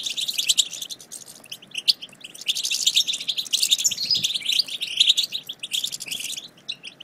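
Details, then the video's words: European goldfinch chatter, the twittering style called batbata, played to stimulate silent goldfinches to sing: dense, rapid, high buzzy twitters and tinkling notes in continuous bursts, with brief pauses near two and six seconds. "بتبتة وستستة رهيبة في تحفيز الحسون على التغريد"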